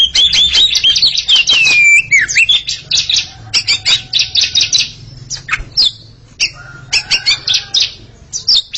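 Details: Two Oriental magpie-robins dueling in song: a dense opening of scratchy, buzzy notes and a long wavering whistle, then a quick series of sharp chips and short whistles.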